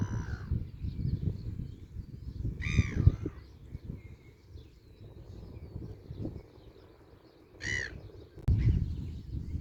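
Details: Seagulls chatting and playing together give several harsh, wavering, laughing calls, including one near the start, one near three seconds and one near eight seconds, over a low uneven rumble with a sharp click late on.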